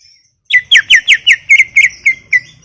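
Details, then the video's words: Cucak ijo, the greater green leafbird, in full gacor song for masteran: a short series of about ten bright whistled notes, each bending down, evenly spaced and gradually softening, with a faint low background. "Full Gacor 40 menit CUCAK IJO"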